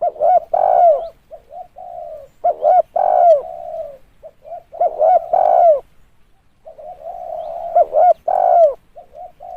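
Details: Cooing spotted dove on a lure recording: four low, hollow phrases. Each has soft lead-in notes, then two abrupt hoots and a full, descending coo, with quiet notes in the gaps between them.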